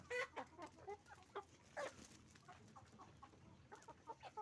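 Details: Hens and roosters calling on a chicken farm; sharp, loud clucks and squawks burst out at irregular intervals, about every half second to second, with fainter flock chatter and a low hum between them.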